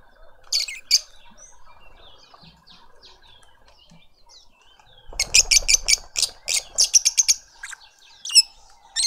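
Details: Suburban garden in Pretoria, South Africa, where a lovebird family feeds its juvenile: two brief shrill notes, quiet soft twitters, then a long rapid run of loud piercing chirps with scattered follow-up calls.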